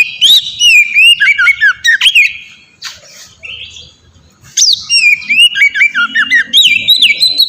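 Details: Oriental magpie-robin (kacer) singing melodiously in the ngeplong style, used as a lure and master recording to get other kacer singing: loud, varied whistled phrases with slurred sweeping notes and quick chirps, in two bursts split by a brief quiet gap.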